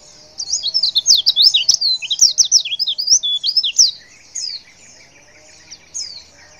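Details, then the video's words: Female white-eye calling to draw a response from males: a rapid run of high, thin, squeaky chirps and twitters, about three per second, lasting some three seconds, then a few spaced single notes over a quiet background. "Suara CALL PLECI BETINA"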